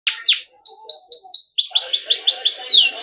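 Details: Yellow canary singing: sweeping downward notes, then a run of clear whistled notes, then rapid repeated rising chirps at about three per second, bright and high-pitched.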